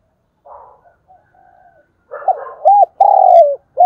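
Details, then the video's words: Spotted dove used as a decoy, calling with thúc bổi cooing: quiet muffled notes first, then loud, round, hollow coos, a short one followed by a long sustained coo and the start of another. "Chim Cu Mồi gáy gọi và Thúc Bổi hay"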